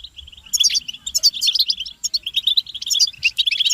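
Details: European goldfinches in a short burst of collective chatter meant to spur males to sing; after a quiet start, crowded bright chirps and sharp high squeaky notes tumble over one another.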